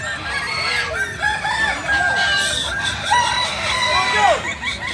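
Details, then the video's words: Native Solok chicken of the Kukuak Balenggek breed from West Sumatra giving stretched, wavering crows, ending in a sharp falling note, among overlapping birds and steady background noise. "Ayam kukuak balenggek ayam asli solok sumbar"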